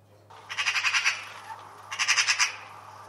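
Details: Magpie call played for children learning animal sounds: two bursts of harsh, rapid chattering notes, about five to six per burst, separated by a short pause, with a low steady hum beneath.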